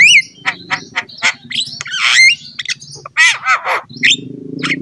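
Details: Javan myna singing energetically to coax other mynas: opening slurred whistle, then grating chatter, wheezy squawks and curved whistled notes, over a continuous low hum.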